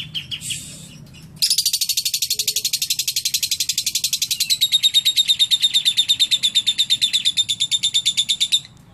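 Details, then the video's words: Lovebird singing in the isian cililin style, described as clear: after a brief high chirp, a long rapid rattling trill of sharp metallic pulses, about three per second, becomes steadier and brighter partway through. Faint low background hum. "Love bird isian cililin"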